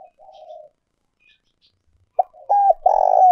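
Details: Decoy spotted dove, an old wild-caught bird used with a trapping speaker, cooing: faint low murmurs, a pause, then a sharp note and two loud sustained hoarse coos, the last long, rough and slurring downward.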